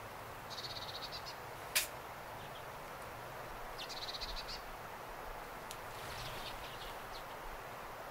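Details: Arctic redpolls alongside common redpolls, giving short buzzy trilled chatters in two bursts, with a sharp click and faint distant notes over steady low background noise.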